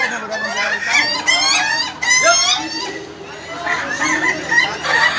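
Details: Several laughing chicken roosters crowing together at an Indonesian contest final, with long stuttering crows broken into quick repeated notes, overlapping one another in a dense chorus.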